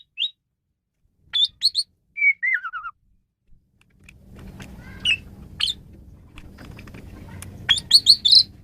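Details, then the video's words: Asian pied starling song recorded to train songbirds: short high whistles, a descending wavering warble, then low rumbling background noise under scattered sharp chirps and a closing burst of bright whistled notes. "Ocehan Burung Jalak Suren"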